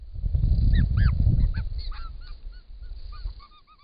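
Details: Wild White-winged Choughs at a pond in Australia, recorded by camera trap; a series of short, thin, arched whistled notes repeated quickly, over low rumbling background noise.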